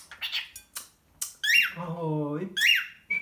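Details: Pet male cockatiel in the Czech Republic mimicking the colloquial greeting "ahoj": short squeaky, rising chirped syllables, alternating with a man's deep voice repeating the greeting indoors in a small room.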